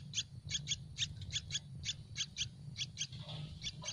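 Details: Nestlings of the Yellow-vented bulbul, hungry in their nest on a tree, calling for food in a fast series of thin piercing chips, some paired, against a continuous low drone.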